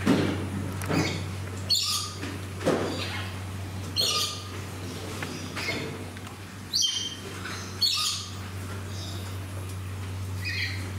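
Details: Captive Major Mitchell's cockatoo at a Shizuoka garden park in Japan, 25 November 2018, producing a series of short, coarse screeches every second or two, some louder, backed by a persistent low hum.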